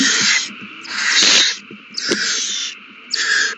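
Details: Owls in a food frenzy at the nest after a mouse is found and handed over, 21 March 2020: four long, harsh, breathy hisses, each lasting about half a second, separated by brief quieter gaps.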